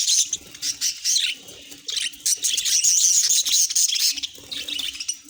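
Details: Pet budgies giving rapid high chirps and scratchy warbling chatter, continuous with brief breaks, more than one bird calling at once.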